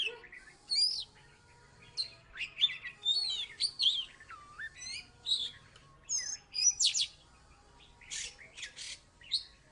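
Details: Oriental magpie-robin from Salatiga, a former third-place contest winner, singing busily: varied looping whistles, descending slurs and harsh buzzy notes in uneven bursts.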